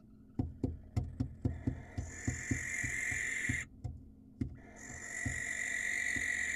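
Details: Wild barn owl on camera in Israel, calling to win a female: a run of quick knocking taps, then two long hissing screeches with a pause between.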